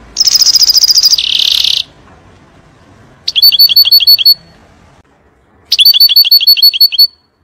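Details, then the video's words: European goldfinch, 'nar' (fire) style song for tutoring young birds: a pulsing high trill slides into a buzzy rasp, then two separate bursts of quick, ringing repeated twitters follow, each about a second long, with quiet gaps between. "تغريد طائر الحسون نار لتعليم الفراخ"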